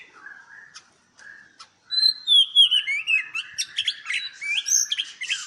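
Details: White-rumped shama in captivity at a Palembang, Indonesia breeding farm: soft low whistles first, then after a short gap a loud burst of high, rapidly alternating whistles and chips, about four notes a second.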